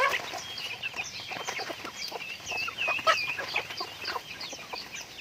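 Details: Flock of pet chickens being raised, giving overlapping high chirps and soft clucks in a continuous busy chorus, peaks every second or so.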